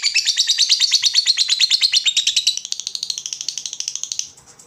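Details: Vocal lovebird giving an ngekek trill, used as a lure to make other lovebirds answer: a long, fast, buzzy chatter of about three notes per second, high-pitched, steady and then fading at the end.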